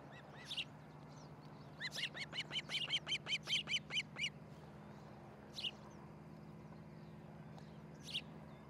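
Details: Osprey at the Charlo, Montana nest, July 13, 2018, early morning; a single burst of quick high whistled yelps rising and falling over about two seconds, then widely spaced lone shrill chips over a low steady hum.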